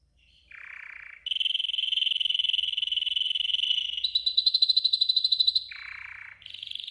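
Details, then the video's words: Canary, yellow golden, giving training song: a low hoarse roll, a long steady buzzing tour, a higher rapidly pulsed trill, then the low hoarse roll returns followed by a high note. "Yellow GOLDEN Canary 12h Training Song"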